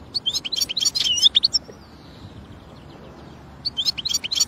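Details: Goldfinch heard in the wild: a dense, fast jumble of liquid chirps and twitters for over a second, a long faint fading whistle, then the lively twittering resumes at the end.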